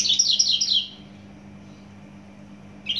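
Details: Quick high twittering phrase from a Javan bush lark of Java, under a second long, then quiet before a new note begins; faint steady hum in the background.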